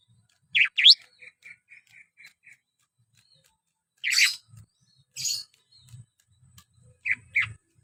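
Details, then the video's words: Greater green leafbird in lively song, opening with two loud slurred whistles, then a quick series of five soft even chips, followed by harsh bursts and paired whistles, with low thumps in the background. "CUCAK IJO MAIN HYPER"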